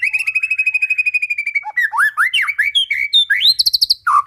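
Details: White-rumped shama singing to prompt other shamas to sing: a steady rapid trill of identical notes for about a second and a half, then varied rising slurred whistles and a quick high repeated burst.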